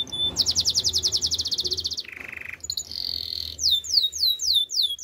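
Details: Canary training song: a fast, even trill of repeated high notes, then a low buzzing roll, a steady whistled tone, and finally a run of sweeping slurred notes.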